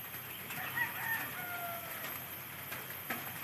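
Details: A rooster crows once, a short rising start breaking into a long, held, slightly falling note of about a second. It sounds fairly distant over steady background hiss, with a few faint clicks.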